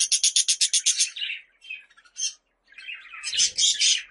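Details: Budgerigar calls played to lure pet budgies: a fast run of about eight sharp high chirps in the first second, then a pause and a burst of scratchy twittering.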